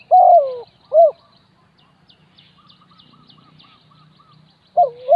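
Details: Decoy spotted dove luring wild doves: loud, hollow coos at the start, a pause filled with faint high chirps and a soft repeated note from other birds, then the coos resume.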